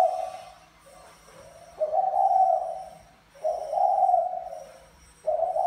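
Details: Male spotted dove of the Mã Phấn type courting a female of the Bài Lối style: long, hoarse, drawn-out coos repeated roughly every one and a half seconds, over faint high electronic whining tones and low hum.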